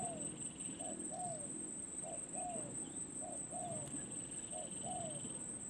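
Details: Spotted dove in decoy training at the perch, calling from a distance in a regular series of two-part coos, a short note then a falling drawn-out one, with outdoor noise, insect buzz and a persistent thin whine.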